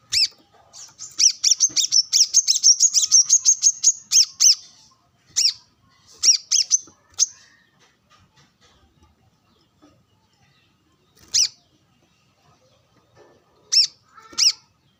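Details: Brown-throated sunbird calling for a rival while out sunbathing, wild birds nearby. Long rapid volley of high, ringing chips for about four seconds, then scattered single and paired chips.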